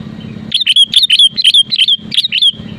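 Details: Sooty-headed bulbul song used to push rival birds into singing: a fast string of loud, clear, bubbly notes, repeated phrase after phrase with short gaps, over a faint low hum.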